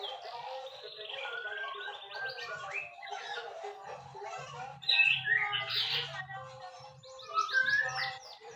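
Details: White-rumped shama singing a long, varied run of whistled phrases mixed with harsh chattering and buzzy notes, several loud bursts around the middle and end, over a steady low hum.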